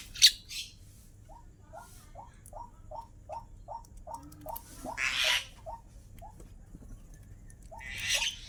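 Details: Pet starling, kept for four years, gives a run of short clipped notes at a steady quick pace, about four per second, broken by a few louder rushing bursts of noise.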